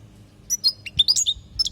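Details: European goldfinch from Palestine in a training recording of 'lugha' song for teaching young goldfinches: a short burst of high, bright twittering notes with quick upward and downward slurs, about a second long, over a quiet low hum.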